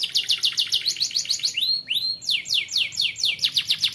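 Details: Canary song used to coax young canaries into singing more: rapid high trills of repeated down-slurred notes, broken by two loud rising-falling swoops near the middle, then fast trilling resumes.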